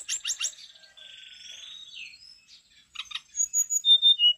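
A brown-chested jungle flycatcher sings a varied, high song of sharp chirps, a buzzy trill and clear whistled notes, fast and restless.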